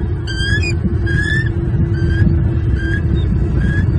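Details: Adult male bald eagle in Southwest Florida, morning of 10 February 2023, hollering at an intruding eagle near his nest with two chicks; a few thin, slurred high notes spaced about a second apart over heavy low rumble.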